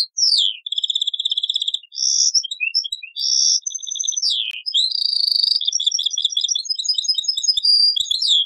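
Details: European goldfinch singing in the taqsrayn song style, taken from an old cassette: bright twittering phrases high in pitch, with rapid repeated notes, buzzy trills and a sliding note near the middle.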